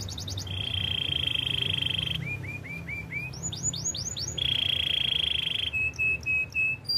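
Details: Belgian canary giving a training song: a steady buzzy trill, then a row of short rising whistled arcs that climb higher, another long buzzy trill, and a few clipped high notes at the end, with a low hum underneath.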